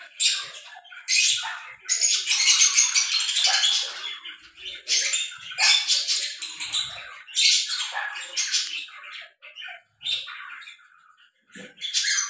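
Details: Breeding pair of lovebirds mating, giving bursts of harsh, scratchy, high chattering in irregular spells of one to two seconds, separated by short pauses.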